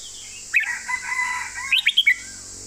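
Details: Caged Red-whiskered Bulbul singing its clearly delivered master song style (phleng mae bot) with golden phrasing: a long whistled phrase held near one pitch, then a quick run of rising, sharply slurred notes, over a steady high background hiss.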